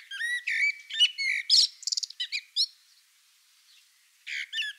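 A common blackbird sings a rapid run of high, squeaky twittering notes with clear whistled accents, pauses for about a second, then resumes.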